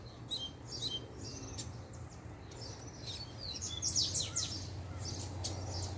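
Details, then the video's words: Captive double-collared seedeater (coleiro) from a kept pair, singing a puxada when the female appears: rapid high twittering chirps and short buzzy notes in quick bursts, louder toward the middle, over a steady low hum. "PUXADA DE COLEIRO 2 - A FÊMEA APARECE O COLEIRO SE TRANSFORMA!!!"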